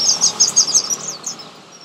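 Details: High, sweet twittering from a sunbird in a garden: a tight burst of sharp, very high chirps that fades out within about a second.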